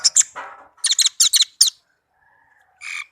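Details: A tame orange-headed thrush kept as a pet sings a row of four or five quick, sharp, high double notes, then goes quiet before one short buzzy note. The song is meant as a lure for birds that refuse to sing.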